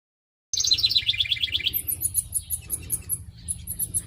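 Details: Female wren in a garden singing to her mate to coax him out of their house: a fast bubbling trill that drops in pitch, followed by a run of very high, thin repeated notes, with a low hum underneath.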